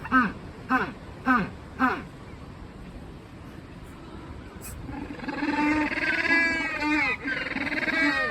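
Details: Captive Magellanic penguins at Joetsu City Aquatic Museum Umigatari, Japan, relaxing then suddenly noisy, give four short harsh honks about every half second, then a long overlapping chorus of loud, buzzy, donkey-like braying.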